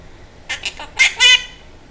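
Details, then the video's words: Talking pet Quaker parrot producing five clipped, scratchy syllables that build to two loud, ringing final notes, spoken indoors between an owner's coaxing words about a duck and a kitty. "The Talking Quaker Parrot"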